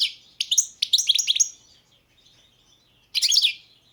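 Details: Caged Balkan goldfinch (Carduelis carduelis balcanica) singing for the 2022 World Championship in Goldfinch Song: a quick twittering phrase of chirps and slurs, a pause, then one more short burst.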